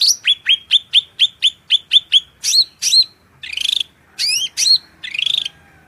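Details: Cucak rante giving a loud, shrill song for training songbirds: a quick series of piercing downslurred whistles, then looping high notes mixed with short buzzy trilled bursts.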